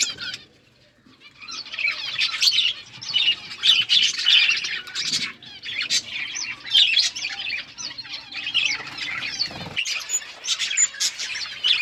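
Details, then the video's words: Eating budgies chattering: after a quiet start, continuous warbling and chirping builds from several birds, with intermittent soft thumps. "Budgies eating food birds chirping sounds"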